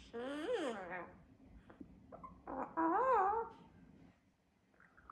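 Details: Pet double yellow-headed amazon (Amazona oratrix), a 3-year-8-month-old talkative parrot, talking indoors in a quiet small room: short humanlike Russian phrases ("what a beautiful fluffy cat") with swooping, sing-song pitch and a high trailing squawk.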